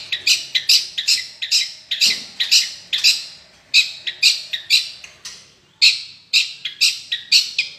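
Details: Long-tailed shrike giving loud, harsh, squawky notes repeated about twice a second in an uneven rhythm, each note broad and scratchy, with occasional short gaps.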